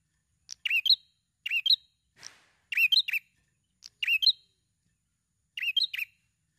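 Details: Chatty prinia song played to draw other birds into song: five crisp, high-pitched bursts of quick stacked chirps, irregularly spaced, with a faint soft note between.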